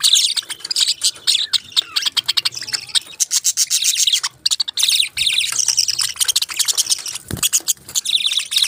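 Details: Budgies keep up a fast, high-pitched warbling chatter of clicks, twitters and short squeaky notes, with a brief lull midway before the chattering resumes.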